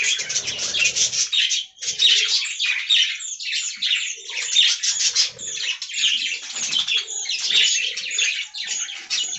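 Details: Budgerigars calling together in an aviary colony produce steady, intense high twittering and warbling with few breaks, over a low murmur of movement at the start.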